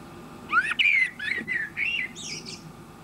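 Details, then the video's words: A male common blackbird, a regular visitor, feeds on a bird table and sings with his mouth full: a brief phrase with a rising note and mellow, fluty warbles, ending in a thin, high twitter. "blackbird feeding (and singing!)"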